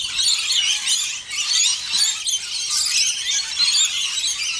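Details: A flock of at least eight Scaly-breasted Lorikeets splashing at a birdbath makes an unbroken wash of piercing, high squeals and screeches, many birds calling at once without pause.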